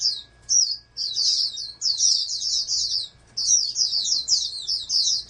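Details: Captive-bred oriental white-eye groomed for national contests, singing high fast twittering runs, a short opening note then longer chattering strings with one pause, faint hum behind.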